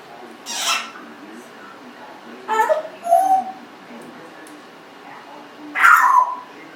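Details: Congo African grey parrot, 1.5 years old, kept indoors as a pet, uttering sparse noisy squawks and a short whistled note, with long quiet gaps between sounds.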